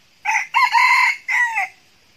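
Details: Red junglefowl decoy cock crowing to lure wild males: a single loud crow of about a second and a half, a short opening note, a long sustained middle and a falling final part.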